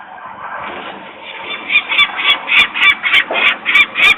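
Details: Alarmed peregrine falcon parents call near their nest in Włocławek, Poland, on the afternoon of 23 May 2022, disturbed by workers' noise while the young remain on the ledge. A rapid series of harsh, rasping kek notes grows louder over a noisy background.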